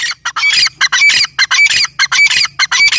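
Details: Female grey francolin calling: loud, harsh, broadband notes given in a steady, rapid series of about two per second, each note grating and squawk-like, with a faint low hum beneath.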